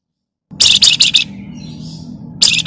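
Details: Javan myna 'crecetan' chatter for luring other birds to sing: four quick harsh, buzzy notes, a softer drawn-out trailing sound, then a fresh burst, all over a low background hum.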